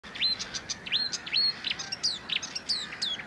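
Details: Marsh warbler singing at Het Vinne, Zoutleeuw, Belgium, in May 2024: a fast, high, varied run of whistles, sharp chirps and buzzy notes, packed several to the second with no pause.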